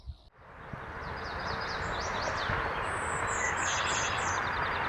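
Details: Golden-winged warbler (Vermivora chrysoptera) in Sax-Zim Bog, northern Minnesota, in May, sings its very high, thin 'buzz buzz buzz' notes in a short repeated series, half-buried under a steady roar of wind or road noise.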